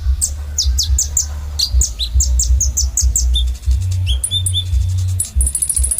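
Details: Sunbird known as kolibri ninja singing in gacor style: quick high downslurred chips in a tumbling series, then short whistled notes and a closing thin sustained whistle, over low droning background noise.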